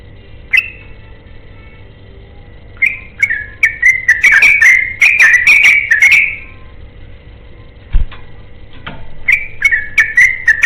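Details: Yellow-vented bulbul giving a long rapid song, said to be seeking a companion: bursts of bubbly whistled notes around a steady pitch, in two runs separated by a pause, over a faint steady hum and a couple of clicks.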